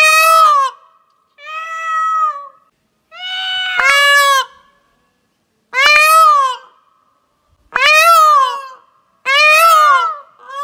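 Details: Tungsten, an 11-month-old pet peachick turning peacock, makes his first-ever calls: six loud, wailing, cat-like calls, each bending up then down in pitch, about every two seconds; nothing else is heard.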